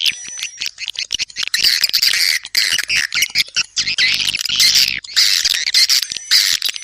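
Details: Busy chattering of swiftlets: harsh, squawky chirps and twitters come in dense bursts with brief pauses. A faint low buzz appears midway, and a sustained thin high tone is audible at the start and end.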